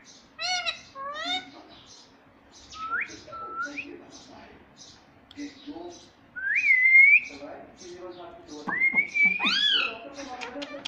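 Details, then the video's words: A pet Indian ringneck parrot talks, trying words like "mummy" and "papa", in short, high, whistled phrases that slide up and down like mimicked speech, with a few louder rising squawks near the end. "Mummy Bolne Wala Parrot _ Talking Parrot _ Cute Ringneck Parrot mitthu talking papa"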